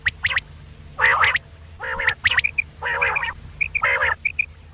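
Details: Quail calling at night, a recording made for quail hunting: short nasal, buzzy bursts about half a second long alternate with crisp, high paired pips, repeated irregularly.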